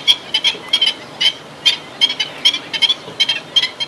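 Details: Black-winged stilt giving rapid, harsh, clipped yapping notes, single or in doubled bursts, repeated two to three times per second over a low steady hum.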